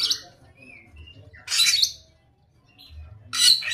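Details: A samyong in full voice gives two loud rasping squawks about two seconds apart, with soft whistled slurs between them over a low background hum.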